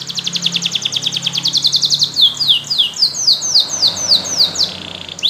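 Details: Yellow canary sings a loud, rapid trill. It shifts into a chain of slower downward-swooping notes, with a final rising sweep.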